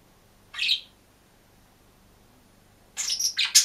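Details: Green budgerigar alone in a cage, chirping: a short bright chirp, a pause of two seconds, then a burst of harsh, scratchy chirps in a quiet indoor room.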